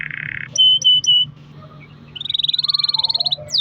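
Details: Singing canary in a long-roll recording meant to encourage other canaries to sing: a low buzz, three clear piping notes, a short pause, then a quick rolling trill.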